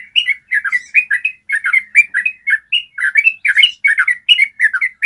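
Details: Long, clear 'ropel' trill from a yellow-vented bulbul, meant to prompt other birds to sing; continuous, dense chattering of bright warbled chirps, rising and falling in quick succession.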